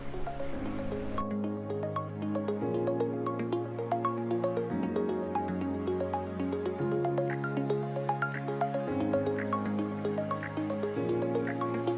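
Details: Gentle instrumental music with soft plucked, drip-like notes over sustained bass tones, and no animal voices.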